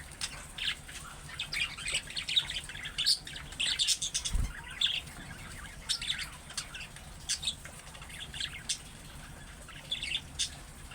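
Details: Budgerigar giving chick-like calling chirps that other budgies are said to answer at once. Bright, clipped, high tweets and scratchy notes come in quick bursts, with one brief low thump near the middle.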